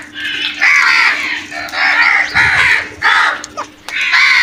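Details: Crows calling while attacking food: harsh, hoarse caws in long drawn bursts, one after another with short gaps, several overlapping voices.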